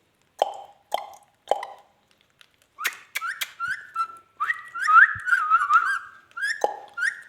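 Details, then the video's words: Pet ringneck parrot talking: three short low human-like syllables, then a run of clear, wavering parrot vocalizations with rising and falling whistled tones and harsh edges, mixed with a person's coaxing speech nearby. "amazing ringneck talking"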